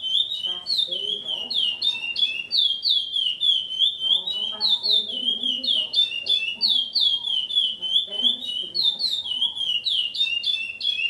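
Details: Chestnut-bellied Seed-Finch (curió) kept by a breeder since 2007 and taped at his home, praised as extremely repetitive. Pure, flute-like whistles bend down and up in a rolling chain, roughly three per second, while people murmur faintly.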